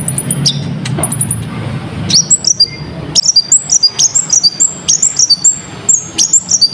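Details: Lure recording of a singing sunbird, its song packed with varied phrases and described as sharp and clear. After faint high tones, rapid bright whistled flicks and slurred notes repeat about twice a second above steady low-pitched noise.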